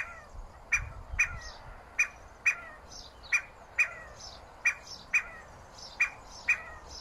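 Scaled quail giving short, sharp, clipped notes about every half second to second, about eleven in a row, over a faint low rumble.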